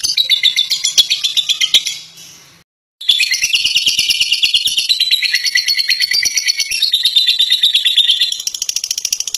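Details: Caged fighter lovebird in long ngekek song, fast rattling chatter of high notes at about three per second, broken by a brief silent gap, then resuming as an unbroken stream that steps in pitch.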